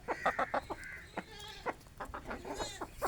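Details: Aseel hens and rooster feeding on grain in a rural village at morning; rapid run of loud, clipped clucks, then softer, drawn harmonic calls and scattered pecking taps.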